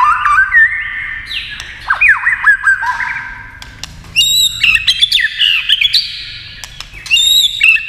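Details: White-rumped shama singing hard against a TV, flicking its tail: bursts of loud, rich, swooping whistles and harsh chatter, separated by short pauses, with high sharp notes in the later phrases.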